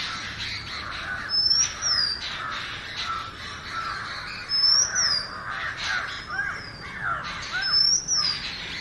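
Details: Natural song of an Oriental magpie-robin, high clear whistles arching up and down roughly every one to two seconds, while harsh, cawing calls and chatter fill the lower background.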